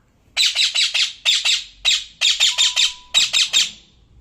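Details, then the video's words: Pet parrot giving a rapid series of harsh, noisy squawks, about a dozen rasping bursts in quick groups, loud and close. "Bolne wala tota"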